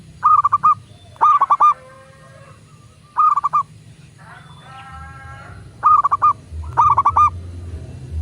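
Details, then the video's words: Zebra dove of local stock singing persistently, a prompt recording for doves to start calling: five or six stuttering coo phrases of rapid pulsed notes at steady pitch, interspersed with long nasal harmonic calls, over faint low hum. "Perkutut lokal gacor pancingan agar burung perkutut cepat GACOR dan BUNYI"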